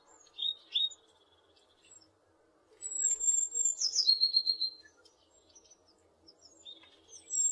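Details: Tit call: a couple of brief high chips, then a single long, very high, thin whistle that drops into a steady lower note. A further high phrase begins at the end, and a faint low rumble sits underneath throughout.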